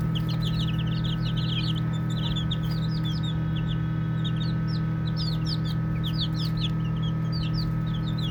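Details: Playing baby chicks give many soft, high peeps, dense at first, thinning, then picking up again, each a short falling note; a steady low hum runs beneath.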